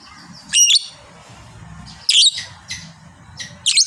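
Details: Fighter lovebird giving its prized long chatter, called ngekek panjang: loud harsh high squawky bursts at roughly half-second, 2.1, 3.4 and 3.8 seconds, separated by quieter gaps with a low background hum.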